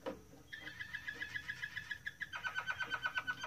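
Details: Malinois canary from Morocco delivering a soft, quick series of pulsed whistled notes, steady and rhythmic at first, then shifting to a lower, faster rolling trill.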